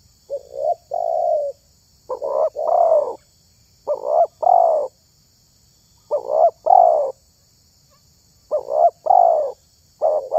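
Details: Spotted dove (tekukur) calling in the context of luring wild doves: low, mellow cooing phrases of two to three notes, delivered about six times with short silent pauses between them.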